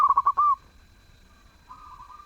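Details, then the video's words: A zebra dove with a melodious voice delivers one brief phrase of quick stuttering coos closing on a longer smooth note, followed by a faint softer coo. "Perkutut gacor suara merdu"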